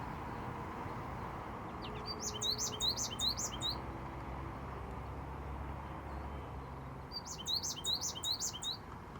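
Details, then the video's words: A male American goldfinch in Iowa, recorded handheld up close, sings two quick bursts of high, twittering notes about five seconds apart, over a steady low rumble of wind or distant traffic. "American Goldfinch Singing Up Close"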